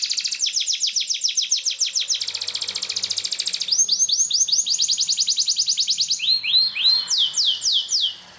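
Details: Yellow canary training song of loud, rapid trills: rows of quick falling whistles repeated several per second, shifting pitch and speed between tours, ending in slower swooping notes.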